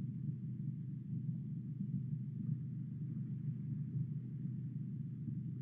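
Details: Only a low, steady mechanical rumble like distant engines is heard, with no animal sounds.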